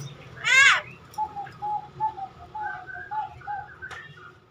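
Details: Javan myna, praised for talking, with one loud harsh squawk followed by a series of soft, evenly spaced cooing notes and a sharp click near the end.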